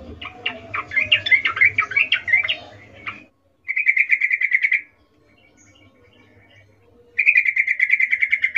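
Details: A female sooty-headed bulbul gives the ngecuplik call of birahi, the breeding condition, calling the male. A jumbled chattering phrase comes first, then two fast, evenly repeated trills of identical notes separated by silence.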